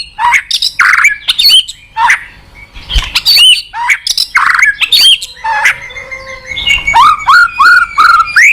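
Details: White-rumped shama song used as a lure to set a reluctant caged bird singing: loud, rich bursts of varied whistles, rapid chatters and upward-sweeping notes, ending in a string of repeated rising slurred phrases.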